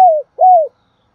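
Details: Spotted dove, 'thúc bổi' style cooing: two soft, mellow coos, the first sliding gently downward and the second swelling then falling, with a faint click at the start.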